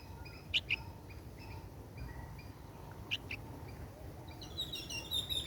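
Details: A young Red-vented Bulbul that has fallen to the ground gives two pairs of short, high chirps, then a quicker run of thin twittering notes over a low background rumble.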